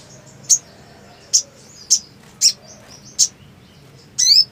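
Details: Black sunbird singing in breeding condition: short, shrill high chips spaced about every half second, faint thin whistles between, ending in a rising buzzy note.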